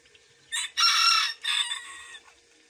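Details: Bantam rooster crowing: a short harsh opening note, then a loud sustained buzzy middle syllable and a falling drawn-out ending, one full cock-a-doodle-doo lasting about one and a half seconds, with a faint steady hum underneath.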